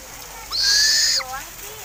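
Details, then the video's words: An owl, described as a fairly rare bird, gives a single harsh, hissing screech of about three-quarters of a second that ends abruptly, followed by faint background noise. "Burung hantu"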